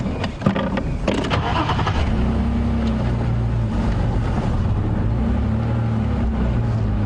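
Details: Vehicle engine revving, with a few clatters in the first seconds, then a steady low drone; no animal voices are present.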